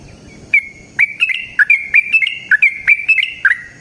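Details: Wild yellow-vented bulbul (trucukan) singing in the forest in a long rapid run, used as a lure to make other trucukan sing: quick bright chirped notes with sharp clicky starts, about a dozen in under four seconds.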